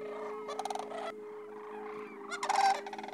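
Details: Migrating sandhill cranes at their March roost on the Platte River, Rowe Sanctuary, Nebraska: two bursts of loud rattling, rolling calls with quieter calls between, backed by a continuous humming musical tone.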